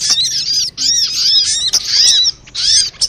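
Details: Sunbird lure recording, noisy calls meant to attract sunbirds: dense high chirps and short twittering phrases with downward-curving notes, in bursts separated by brief gaps.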